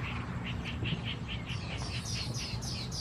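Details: Red-wattled Lapwing, subspecies atronuchalis, recorded at Ban Thai Talat, Khao Yoi district, Phetchaburi, Thailand, on 28 August 2020: a rapid run of short sharp notes, then a higher, faster series of clipped notes over steady low rumbling background noise.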